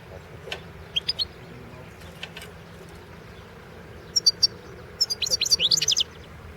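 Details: Competition recording of a European goldfinch at a 2016 world singing championship: scattered high chirps early on, then a short cluster of quick, tinkling, upward-flicking notes near the end over a faint background hum.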